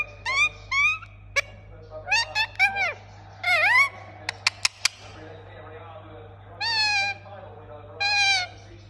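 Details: Indian ringneck parakeet calling: bursts of harsh harmonic squawks, some swooping up and others sliding down, with a quick run of sharp clicks in the middle and long gaps between groups; a steady low hum underneath.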